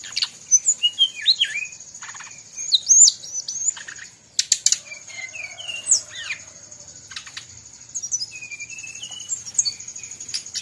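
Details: Brown-chested jungle flycatcher from Bali singing lively, mixed with other birds' voices. Short sliding whistles and downslurred notes alternate with sharp clicks and chips, over a steady high-pitched whine throughout.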